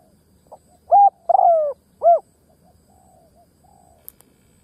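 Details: Decoy spotted dove gáy call meant to stir up wild doves quickly: one strong phrase of three coos, the middle one long and gently falling, then faint softer notes and a brief click.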